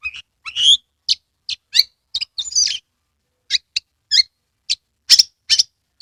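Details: Oriental magpie-robin from Kebumen, Central Java, singing with tail spread to prompt other magpie-robins: a mix of sharp chirps, slurred whistles and a scratchy phrase, then a series of spaced high notes.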